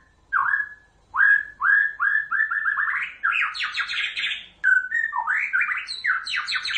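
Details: White-rumped shama song meant to draw other shamas into answering: clear whistled notes quicken into a rapid rising series, then a dense burst of high buzzy trills and sharp whistles.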